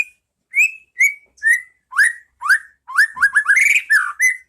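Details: White-rumped shama training song in the 'pastol ngeplong' style: spaced whistles dropping step by step in pitch, then a brisk series of rising slurs and complex chattering notes to finish.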